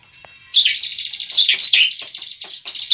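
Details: Continuous high buzzing trill of a bar-winged prinia fighting song, a lure for a young bird. It starts abruptly after a short quiet moment, with a few sharper notes woven through.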